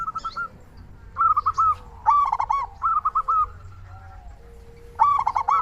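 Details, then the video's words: Zebra dove of a local strain, a lively caller used to spur other doves into calling, giving quick clipped coos in groups of three or four. The groups are separated by brief silences. "Perkutut lokal gacor suara paling ampuh untuk pancingan burung perkutut agar cepat bunyi"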